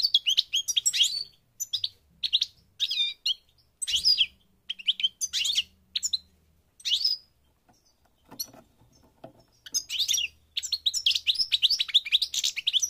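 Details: North African goldfinch in Morocco singing short twittering phrases of bright, jingling notes, spaced by gaps of about a second, with a fuller run of rapid chatter toward the end and a faint low hum.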